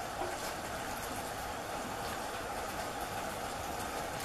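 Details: Constant engine-like hum and hiss, as from an idling vehicle, with no animal calls.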